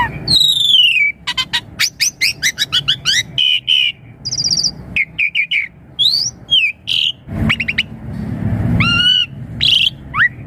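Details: Asian pied starling song used to coax young birds into replying: a rich, fast medley of steep whistled sweeps, rapid clicky notes, short trills and falling slurs, varied throughout, with a brief low rumble near the end.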